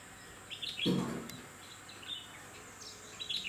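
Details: Red-whiskered bulbul calling: short, bright chirping notes in scattered bursts, with a brief low thump near the start and a soft outdoor hiss.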